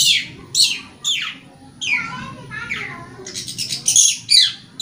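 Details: Lively long-tailed shrike song used to stimulate caged shrikes that are stressed or no longer sing; sharp downward-sweeping squeaky notes and harsh chatters follow one another, turning into a dense scratchy burst near the end.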